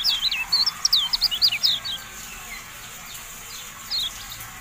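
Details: Javan white-eye song from a training recording for caged birds. A quick run of high, twisting chirps and slurred whistles opens the clip, followed by quieter pauses and a single late note.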